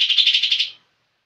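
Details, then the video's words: Lively singing from a young lesser green leafbird: a fast, buzzy, pulsing high trill that fades out after about three-quarters of a second, then silence. "Cucak ijo muda super gacor"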